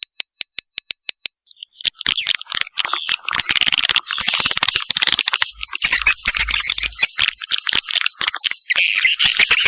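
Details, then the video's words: Swiftlet mating call used to attract swiftlets: a few spaced single clicks, then continuous dense, high twittering and buzzing chatter over fast clicking. "KOMBINASI SUARA PANGGIL WALET"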